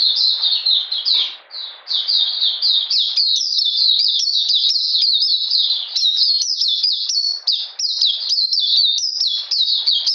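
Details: Oriental magpie-robin singing in cold rainy weather on 13 June 2020: a fast, unbroken run of high, sharp chirps and short slurred whistles, with a brief dip in volume near two seconds.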